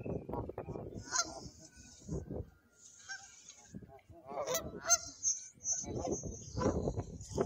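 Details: A growing flock of Canada geese heads over a pier, honking repeatedly in loud, nasal, uneven bursts that overlap, with rushing background noise throughout.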